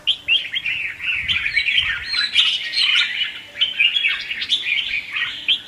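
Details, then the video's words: Red-whiskered bulbul training song used to spur bulbuls into competitive singing: a fast, bubbling stream of chattering, whistled notes with little pause, bright and mid-to-high pitched; no other sounds stand out. "Chào mào Luyện giọng | Hót Ché - Xòe"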